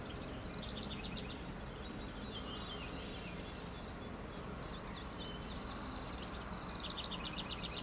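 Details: A House Wren sings bubbling, rapid high trills in quick, tumbling bursts over a steady low rumble of wind or distant traffic, at St. Anne de Madawaska, New Brunswick, Canada, on 1 July 2020.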